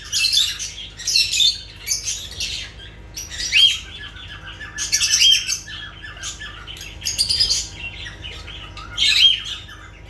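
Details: Lovebirds calling with harsh, shrill squawks and chirps, bursts of screechy high notes every second or so, some short whistled notes between them, against a low steady hum.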